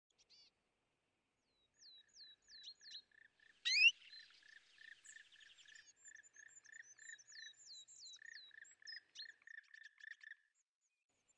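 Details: European greenfinch at winter feeders, where it aggressively drives off tits, sparrows and nuthatches; a short note, then a busy run of twittering chirps and downward-sliding whistles with a repeated low-pitched tick, and one loud sharp note midway.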